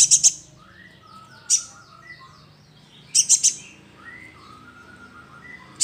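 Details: Young sunbird lure calls: clusters of two or three shrill high chirps spaced a second or more apart. Other birds whistle softly in the background.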